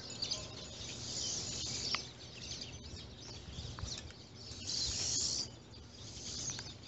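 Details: A flock of pine siskins calls from trees and feeders, chattering steadily in high, thin twitters, with louder buzzy bursts coming and going every couple of seconds.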